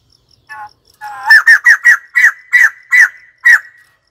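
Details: Loud cackling outburst of a white-crested laughingthrush: soft whistled notes lead into eight harsh, raspy bursts repeated roughly every half second, while a faint regular ticking insect pulse runs in the background.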